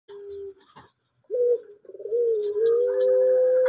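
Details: Male orange pelung-type collared dove at a bird farm, prized for its soft voice: short level coo, pause, then a long drawn-out steady coo with slight wavering, held for over two seconds.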